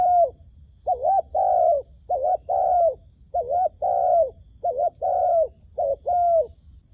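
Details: Decoy dove cooing to attract wild doves to a trap: a long regular series of paired low notes, a quick wavering coo then a drawn-out even one, repeating roughly every second and a half.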